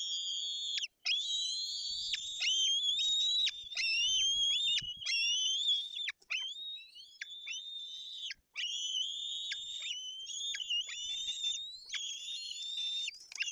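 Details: White-tailed eagle chicks at a nest in Bory Tucholskie, Poland, on 8 June 2022 beg with high, thin, wavering squeals almost without pause while the female has brought a fish, later feeding them pike; faint low rustling underneath.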